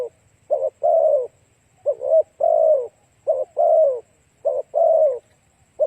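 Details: Spotted dove song played to entice other doves: low, rounded coos, each phrase a quick broken note followed by a sustained falling croon, repeated roughly every second and a half.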